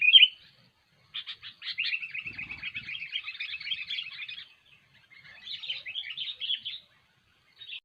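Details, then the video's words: Sooty-headed bulbul in vigorous song used to lure birds into traps. A sharp opening note is followed by a long, rapid chattering trill, a pause, then a shorter burst of warbled chirps. "SUARA BURUNG KUTILANG GACOR"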